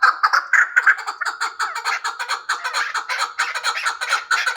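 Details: Hybrid chukar partridge producing a rapid, gobbling chain of rasping chuk notes that blend into a continuous chattering rhythm.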